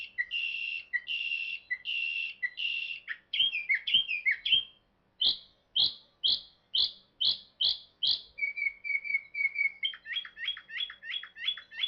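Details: Northern mockingbird at Savannah National Wildlife Refuge sings loud, high phrases in quick runs: buzzy whistles, sharp downslurred notes, rapid chips, then lower clear notes, each repeated three to eight times.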